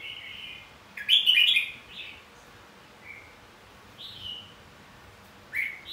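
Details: Red-whiskered bulbul in competitive fighting song, played to spur singing: one loud rapid warbled burst followed by sparse, softer whistled notes and a final sharp chirp.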